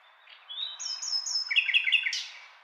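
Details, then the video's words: A nightingale holds long, pure high whistles, then breaks into a quick series of loud, repeated, ringing notes and ends with a sharp burst. "Nightingale Sound"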